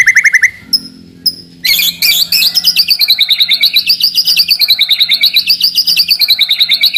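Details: White-rumped shama song used to provoke rivals and test the mettle of young birds: a short rising whistle, brief high notes, then a long dense stream of rapid, wavering notes repeated steadily with a slight undulating pitch.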